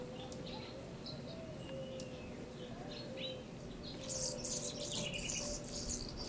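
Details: Anna's hummingbird: a few sharp, thin chips early on, then a dense high, scratchy buzzing run from about four seconds to the end over a steady low background hum.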